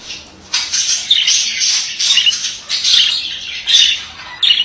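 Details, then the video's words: Loud, nearly unbroken harsh chatter from a male budgerigar, raspy squawks and buzzy warbles overlapping, with brief dips between phrases and a sharp final note. "Erkek muhabbet kuşu sesi"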